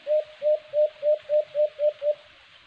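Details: White-eared brown dove, locally called alimokon, recorded during cage-trap bird hunting: a steady series of eight short, low hooting coos, each about a third of a second apart, with faint background hiss.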